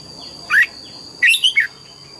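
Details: A red-whiskered bulbul gives a short morning burst of forest double-note song: one sharp whistled note followed by a rapid, warbling three-part phrase, with a steady high-pitched whine behind.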